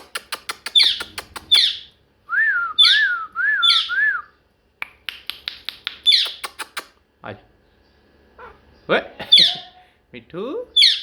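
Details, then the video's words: Indoor pet parrot mixing chattering, speech-like squawks and clicks with four quick wavering whistled notes in a row, then more harsh chatter and rising squeaks. "Parrot Talking"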